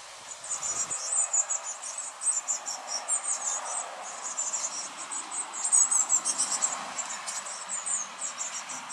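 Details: Young Eurasian blue tits begging: high, thin, rapid chittering in short bursts repeated roughly twice a second, several voices overlapping, with a faint low hum underneath.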